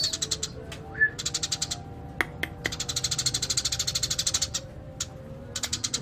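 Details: Eurasian tree sparrow in energetic 'gacor' song, a 'masteran' training recording: bursts of quick, sharp ticking chirps in fast series, broken by short gaps and a few isolated clicks, with a faint hum beneath.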